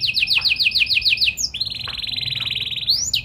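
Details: Canary in full, lively song with special song variations, singing to prompt other canaries to answer. About eight quick descending slurred notes, then a long, fast, buzzy rolling trill at a steady pitch. The song ends on an upward sweep.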